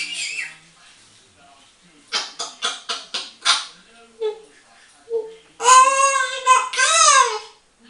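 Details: Eight-year-old female pet African grey parrot chatting away to herself in a bathroom: a quick run of sharp clicks, then loud, harmonic, speech-like squawks that rise and fall, in a quiet small room.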